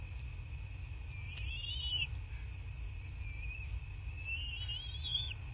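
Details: Bald eagles at a nest in southwest Florida, recorded by a nest camera on 7 March 2024 at 14:15. Two clear runs of shrill, wavering, chittering squeals each last about a second, over low steady rumble and a constant thin high tone.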